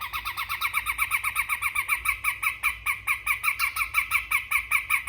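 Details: Grey-cheeked bulbul from Sumatra singing in besetan style: a fast, harsh chattering run of rasping notes repeated about two to three times per second, steady throughout with little else audible.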